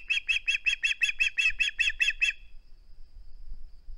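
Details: Osprey at the nest, live camera, 21 August 2020, keeping its flounder: roughly eleven loud, sharp whistled yelps in rapid even succession over two and a half seconds, then low rustling.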